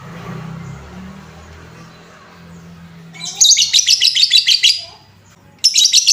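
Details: Lovebird lure sound, played to stir up and excite other lovebirds: after quiet low hum, a fast burst of shrill, high chirps rattles for over a second, then a second shrill burst begins near the end.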